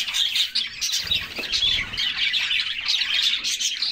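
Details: Canaries bathing together on a summer day keep up steady high chirping and twittering, with a short low burst of splashing or wing flutter near the middle.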